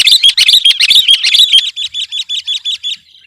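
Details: Sooty-headed bulbul singing hard to outdo rival birds: a fast, even series of sharp, clipped notes, roughly nine per second, fading to softer repeats at the end.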